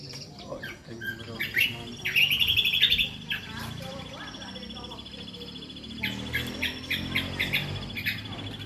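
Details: Kombok delivering its full-repertoire song: scattered sharp chirps, then a loud rapid high trill lasting about a second, followed by quieter twitters and a later run of repeated chirps over a low background hum.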